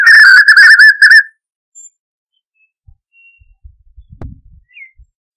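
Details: White-naped xenopsaris singing in the caatinga: a loud, rich warbled whistle phrase in quick rhythmic loops, then quiet with faint low rustling and a single thin high note.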